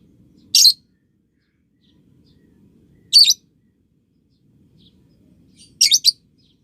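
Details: A lovebird, recorded to teach young birds the ngekek chatter, gives three shrill raspy bursts roughly every two to three seconds, the last a quick triple stutter, with a faint low hum between.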